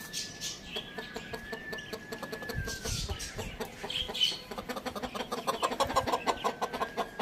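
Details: Rooster crowing in the morning: one drawn-out, level crow fills the first three seconds, then gives way to rapid, busy clucking and clicking chatter.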